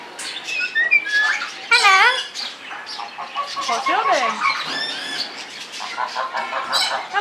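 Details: Talking parrot at a park imitating speech; clear tonal whistled and voice-like phrases with sliding, wavering pitch, interspersed with short squawky chatter.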